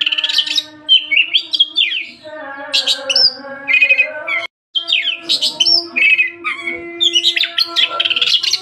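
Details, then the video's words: Oriental magpie-robin (kacer) in vigorous 'gacor' song: rapid varied phrases of clear whistles, upward and downward sweeps and buzzy trills, with a steady low humming tone underneath and a brief silent cut midway. "KICAUAN BURUNG KACER GACOR"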